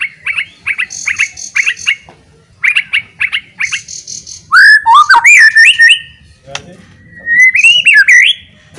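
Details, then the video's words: White-rumped shama in loud song that stirs other shamas to sing and fight: quick repeated whistled chips in short bursts, then loud swooping whistles rising and falling, a sharp click, and a final long rising whistle. "AWAS BIKIN EMOSI,, KICAUAN NYA LANTANG,,PASTI LANGSUNG FIGHTER BONGKAR ISIAN"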